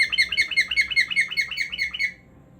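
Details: Pet cockatiel singing a rapid chattering warble of repeated harmonic notes around five per second for about two seconds, then falling quiet.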